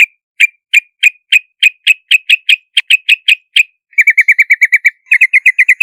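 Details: Yellow-vented bulbul uttering evenly spaced sharp chirps about three per second, then switching to two fast, dense chattering runs.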